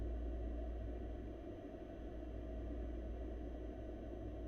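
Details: Steady low rumble under a faint broadband hiss, with no animal calls heard.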